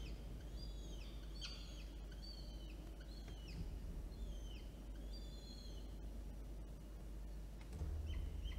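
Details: Orange, New South Wales, Australia, 9 October 2022: two peregrine falcon chicks beg while an adult feeds them, giving irregular high, downcurving whistled squeals and a few clicks, with low rumbling noise rising near the end.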